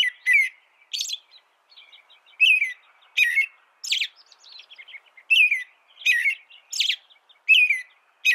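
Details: An American robin carols in short whistled phrases, some low and slurred, others sharp, high and squeaky, spaced irregularly with soft twittering notes between them. The background is otherwise quiet.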